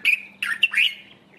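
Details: Dark-capped bulbul calling from a treetop early in the morning: three quick, harsh chirping notes in just over a second, slurred up and down at mid-high pitch, over a faint low hum.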